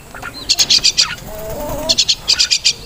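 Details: Crested myna, locally Martinez, delivering two short bursts of sharp, high, evenly spaced chatter notes with a faint low warble in between.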